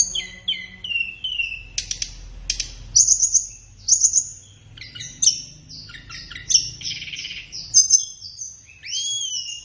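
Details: Flowerpecker song used as a master recording for training kept songbirds, best played in the morning or afternoon: a fast run of high, thin whistles, sharp chips and buzzy trills, falling then rising notes in quick succession.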